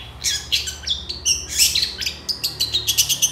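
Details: Energetic long-tailed shrike song packed with burst phrases for tutoring: scratchy high chatter mixed with short whistles, ending in a fast sequence of clipped, regularly repeated high notes.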